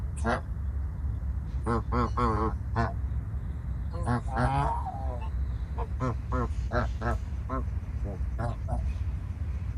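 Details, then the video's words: A flock of farm geese honking in scattered bursts, short nasal notes with one longer wavering call in the middle, against a continuous low-pitched rumble. "SOM DE GANSO CANTANDO, Barulho de Gansos"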